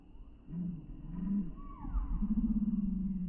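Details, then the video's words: Spotted dove used as a Thai decoy bird, its voice called small-pitched with two 'kuk' notes and a steady 'ku-ang'. Two soft low coos lead into a long, fast-throbbing rolled coo, with a faint humming background. "นกเขาใหญ่ | เสียงเล็ก 2 กุก คูอ่างตลอด"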